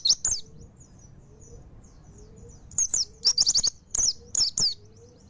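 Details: Mountain white-eye delivering scattered sharp high chirps and quick trilled bursts, with soft low whistled notes repeating faintly in the background.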